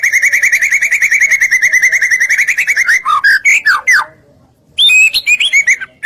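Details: Provoking song of a white-rumped shama, meant to stir rival shamas: a long fast even trill, then loud slurred and sweeping whistles, a short silence, and more high varied notes.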